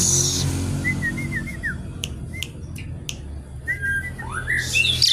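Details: Javan pied starling in full song, singing energetically: short whistled notes near the middle, sharp clicks, and a burst of harsh, noisy phrases at the start and end, over a steady low hum.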